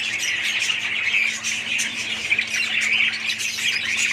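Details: Budgerigars calling as a colony, a loud, dense chorus of squawks and rapid chirpy warbles running without a break.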